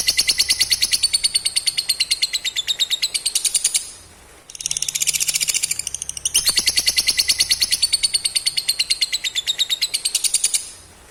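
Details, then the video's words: Lovebird chattering, known as ngekek, used to coax other lovebirds into replying: long bursts of rapid, shrill, evenly pulsed high notes, about three per second, broken by a brief lull near the middle before the chatter resumes. "Panggilan burung ini manjur bikin lovebird cepat respon dan ngekek"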